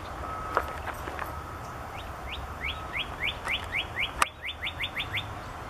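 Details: Male Northern cardinal singing overhead, recorded 18 July 2014: a steady series of about a dozen clear, quick slurred whistles, each sweeping up then dropping, speeding slightly toward the end, after a few softer chirps; two sharp knocks and low background rumble.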